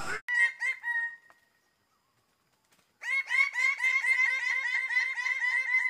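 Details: Greater bird-of-paradise giving loud, rapid series of harsh, nasal, harmonic notes. A short burst fades after about a second, then silence, then a longer run of evenly repeated calls, roughly four per second.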